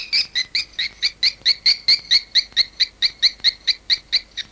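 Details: Swiftlet calls dated 18 August 2021: clear, evenly spaced two-tone chirps, a little over two per second, each slightly falling, in a steady metronome-like row.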